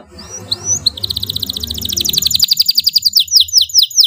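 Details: A domestic canary, prized for its loud voice as a master tutor for young birds, sings a loud, high, rapid song of bright whistled notes and fast repeated trills, building in strength over a faint hum.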